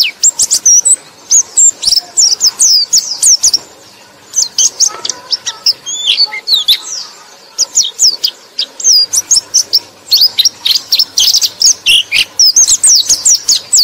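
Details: White-eye (pleci) chirping song, played to stimulate sluggish white-eyes: a dense, rapid run of high, thin, sharply slurred notes, almost unbroken, with a brief lull near the middle.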